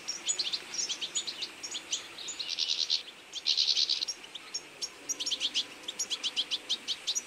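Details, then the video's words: Feeding flock of goldfinches in autumn: bright twittering notes, a dense buzzy burst of chatter in the middle, then crisp evenly spaced chirps repeated rapidly. "Goldfinch beautifull birds in autumn"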